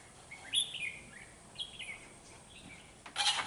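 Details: Red-whiskered bulbul serving as a trapping decoy, singing to fight rivals on 13 November 2018: several clear slurred whistles falling in pitch, fairly soft, ending with a brief burst of rustling noise.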